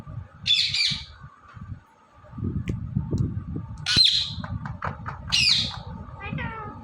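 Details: Indian ringneck parrot, seen talking and dancing, gives three well-spaced harsh, high squawks plus a few faint clicks, over a continuous low rumble.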